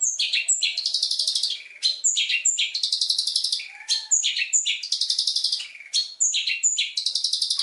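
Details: Long-tailed shrike in full varied song for training other birds, repeating clusters of high whistles followed by harsh buzzy chatter, pausing briefly between bursts roughly every couple of seconds.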